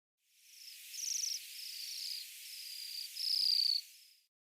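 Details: In mid-November on a cold, sunny morning in Greenough Park, Missoula, Montana, Bohemian waxwings in a mixed winter flock with cedar waxwings in cottonwoods give high, thin musical trills, one stronger buzzy trill near the end, amid cedars' softer lisps.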